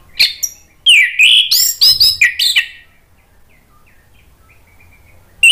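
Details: Orange-headed thrush singing, used as a lure to get another bird to sing: rapid, varied phrases of sweeping whistles and sharp high notes packed into about two seconds, then near silence with a faint low hum.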